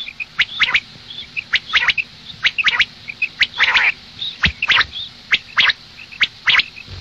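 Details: Common quail hen heard in the morning: evenly spaced, dry, clicking squawks, mostly paired, about one per second, with faint high chips between them and one fuller, buzzier note.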